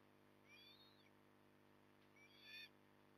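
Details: Osprey at Port Lincoln, morning of 9 October 2020, 08:23: two short high whistled calls about a second and a half apart, the first slurred and falling, the second sharper and louder, over a constant background hum.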